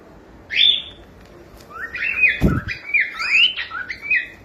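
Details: Young pet cockatiel singing: a high chirp, then a run of warbling whistled phrases rising and falling, with one dull thump partway through.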